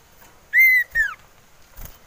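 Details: Male common iora in mating mood, used as a lure, whistles one long clear level note followed by a shorter downslurred one, with a soft knock after.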